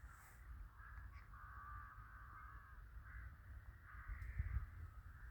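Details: Crows calling in a village in winter: drawn-out harsh caws following one another, over a steady low rumble of wind or background noise.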